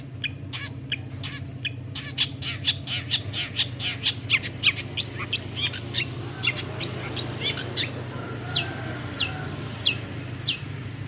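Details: A long-tailed shrike (Lanius schach), a clever mimic of other birds' calls, gives a rapid run of sharp, high chirps and scratchy notes, several each second, over a steady low hum.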